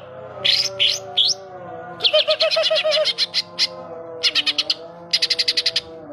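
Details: Greater green leafbird (Chloropsis sonnerati), mimicked song.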